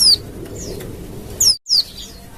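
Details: Brief burst from a wild Oriental white-eye, used to make other white-eyes respond: a few high, thin, falling whistled notes at the start and again near the end, split by a short silent gap.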